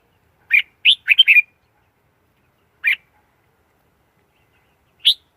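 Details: Red-whiskered bulbul singing: a quick burst of short warbled notes around the upper-middle range near the start, then single chirpy notes spaced well apart, in a quiet setting.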